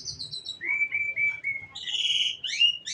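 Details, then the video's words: High, thin opening notes lead into a row of clear whistled notes at a steady middle pitch, followed by louder, higher buzzy phrases and a rising sweep. "suara burung"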